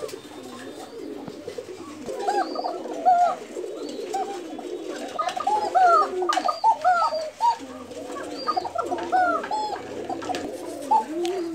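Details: Several Bashiraj koka pigeons, a fancy domestic breed kept in Tangail, calling together: a busy overlapping chorus of short arched notes, some rising and falling quickly, with scattered sharper higher notes over a low murmur.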